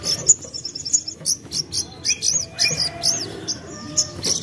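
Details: Common iora song used as a lure to make birds sing: a lively run of high, sharp whistled notes and short slurred phrases, repeated rapidly, with a few lower soft notes underneath.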